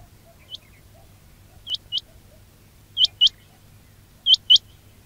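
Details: Quail calls from a recording made for luring quails during trapping: short, sharply rising whistled notes, one single then three pairs spaced about a second and a quarter apart, over a faint low hum.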